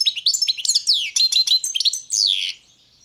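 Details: Continuous rapid twittering from a European goldfinch, subspecies balcanica, with rolling chirps, sweeping whistles and a drawn-out buzzy note near the end before falling silent.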